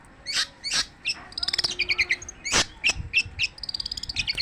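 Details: Long-tailed shrike song with loud harsh broadband notes interspersed with fast high trills and chattering bursts, continuing without a pause.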